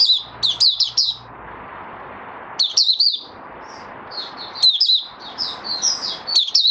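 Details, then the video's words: White-eye (mata puteh) settling into its form, opening its song: bursts of high, thin chirps and twittering warbles in quick runs, pausing between phrases over a steady background hiss. "Mata Puteh Raja Stablizing his form buka sing"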